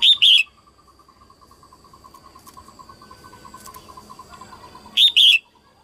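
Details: Female red-whiskered bulbul, 2022, singing early in the season to excite males: loud two-note whistled phrases at the start and end, with a steady pulsed lower tone ticking rapidly between them.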